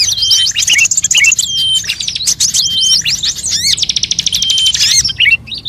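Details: Mixed songbird lure recording that blends calls of kacer, murai, cucak ijo, cendet, srigunting, prenjak, kutilang and jalak. Rapid bright chirps, slurred whistles and buzzy rattling trills come in quick succession, loud and high-pitched throughout.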